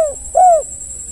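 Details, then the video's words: Tail of one coo and a single drawn-out descending coo from a spotted dove meant to lure others into calling, with a continuous thin high whine. "Pancingan tekukur yg lain pasti ikut bunyi"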